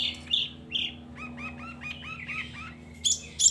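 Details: Varied long-tailed shrike song for stirring silent shrikes to sing: harsh scratchy notes give way to a row of about six clear down-slurred whistles, ending in sharp high squeaks.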